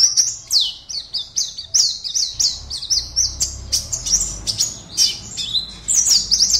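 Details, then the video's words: Caged Oriental white-eye entered in an online singing competition, Pontianak, West Kalimantan, sings a fast chain of high, bright chirps and short falling whistles, with a soft low rumble underneath. "LOMBA PLECI ONLINE 52 - Aksi Pleci KIPAS SAKTI"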